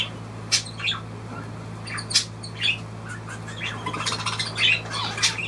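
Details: Budgerigar chattering with rapid, scratchy squawks and chirps that come in uneven bursts, several per second, over a low steady hum.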